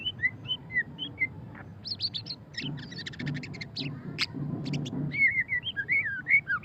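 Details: White-rumped shama (murai batu pastol) singing in the ngeriwik style: clear whistled phrases, then a stretch of sharp clicking and ticking notes, ending in rich warbled whistles, over a low background rumble.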